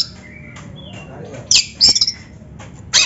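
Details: Oriental magpie-robin, a captive bird's training song meant to stimulate other birds: scattered short phrases, a faint whistled note early, then loud harsh buzzy bursts at the end with quiet gaps.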